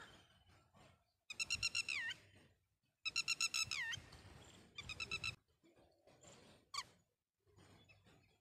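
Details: Red-wattled lapwing mother calling to its chick near St Mary's School, Mt Abu: two bursts of rapid, shrill, stuttering notes that slide downward at the end, then a lone sharp note amid faint rustling background.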